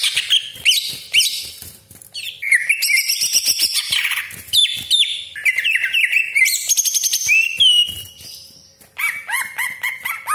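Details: Cucak ijo (greater green leafbird) in a rough 'besetan kasar' and long-roll song: loud scratchy bursts mixed with fast whistled sweeps, a short lull near the end, then descending whistles.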